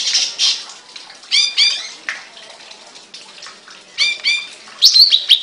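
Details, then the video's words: Caged songbird uttering groups of quick, downward-sliding chirps repeated in short bursts, ending with a bright, high twittering flourish. "The voice of a bird, (Suara burung), Burung kicau, Burung Sangkar"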